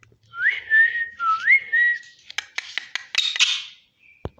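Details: Parrot eating and talking gives two swooping, rising whistles. Harsh, raspy, voice-like chatter follows, then a short steady tone and a sharp click at the end.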